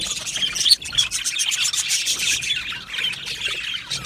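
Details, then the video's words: Australian budgerigars in an aviary colony chirping: rapid, irregular stream of short high notes and squeaky warbles from many birds, one sharper squawk standing out early. "Beautiful Budgies chirping sounds"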